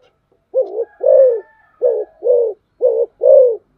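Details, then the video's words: Spotted dove kept as a decoy bird coos clearly in three paired phrases, a brief note followed by a fuller, longer hollow coo, spaced about a second apart, with a soft whistle-like tone faintly behind. "tiếng chim cu gáy mồi"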